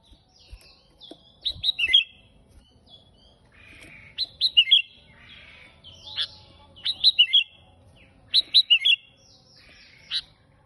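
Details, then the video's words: Lively, unusual sooty-headed bulbul song used as lure and tutor material for other bulbuls: about five spaced bursts of tumbling, bubbly whistles, each a tight cluster of three to five notes, over a light hissing background. "KUTILANG GACOR suara aneh tapi KEREN cocok buat pancingan dan masteran kutilang"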